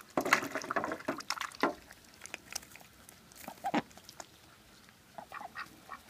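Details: Pet domestic ducks, a bold female and a fussier male, heard in loud harsh quacking bursts in the first two seconds, then scattered shorter calls mixed with clattering knocks and rustling.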